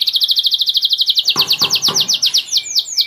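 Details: Caged purebred Spanish Giboso canaries sing a rapid, evenly pulsed high trill that shifts into slower, sweeping downslurred notes near the end, with three soft knocks midway.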